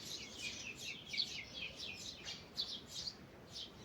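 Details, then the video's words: Morning birdsong in a forest: a quick run of high, sweet chirped notes, some dropping in pitch, delivered in an uneven stream with other faint birds overlapping behind. "Morning Birds Singing in the Forest"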